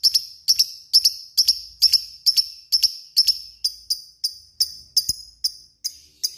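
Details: Fighter lovebird giving a steady series of piercing high chirps, first in doubled pairs then single clipped notes, about two per second, with a brief click partway through.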